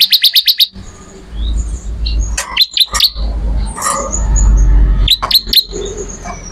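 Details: Bar-winged prinia singing: a fast opening run of about six sharp, high chirps, then scattered clipped high notes and short trills over a low rumbling background.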